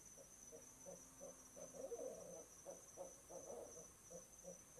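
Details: Pair of barred owls hooting together beside an owl box at 6 pm in November, guarding their nest spot; fairly faint series of low, evenly spaced hoots with a brief louder mingled burst midway.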